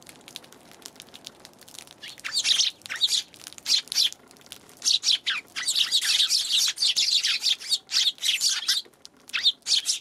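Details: Eurasian tree sparrows, January 11: a lively stream of high, overlapping chirps and twitters that swells into dense chattering and fades into isolated chirps near the end.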